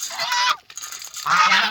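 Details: Domestic geese approaching at a muddy, manure-smelling pond on a September morning around 8 AM give two loud, harsh, nasal honks about a second apart, each roughly half a second long.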